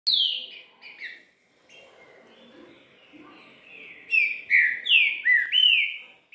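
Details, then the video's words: A green-winged saltator sings its "three-note boi bitola" song of loud, clear whistled phrases: a falling opening, a quiet pause, then a quick run of four or five slurred, swooping notes. "TRINCA FERRO DANDO 3 NOTAS BOI BITOLA"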